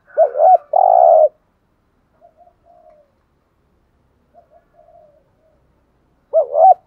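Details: Spotted dove decoy giving 'thúc gù' style cooing to lure wild doves: a wavering low coo then a long, throbbing, buzzy note, followed by soft clipped murmurs, the phrase starting again at the end.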